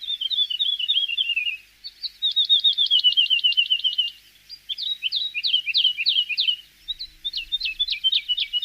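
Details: Song of a Javan bush lark, played as a master recording for training songbirds: bursts of fast, buzzy trilled notes in three or four phrases separated by short pauses, each phrase a rapid rattle of sharp high notes.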